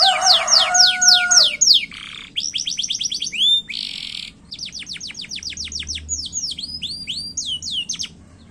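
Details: Canary in fast, short song, used to prompt other canaries to sing: loud rolls of downslurred notes, a low whistled tone, buzzy bursts and varied quick chirp series, changing phrase every second or two.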